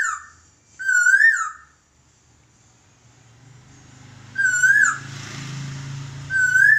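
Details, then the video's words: Laughingthrush master song used for training birds: two loud, slurred whistled phrases with rich overtones, rising then wavering, about three seconds apart, with a short third phrase at the end over a low background hum. "Burung Poksay Masteran"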